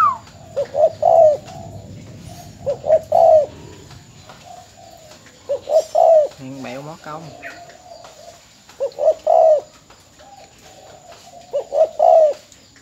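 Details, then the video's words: Spotted dove from Ben Tre, Vietnam, a decoy bird kept for luring, recorded as a farewell before its sale: soft, low coos in short two- or three-note phrases repeated every few seconds, with a faint steady hum and brief rustling. "Cu gáy bến tre"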